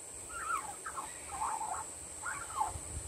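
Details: On a windy day, a young Australian magpie practises singing: a run of soft gurgling, warbled notes in short clusters that dip and wobble in pitch, about one cluster a second, with a constant high hiss behind.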